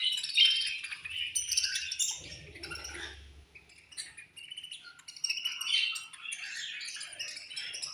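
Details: Many budgies chirping together as food is given in their colony, bright rapid twitters and squeaky notes layered densely, with a short low rumble in the middle.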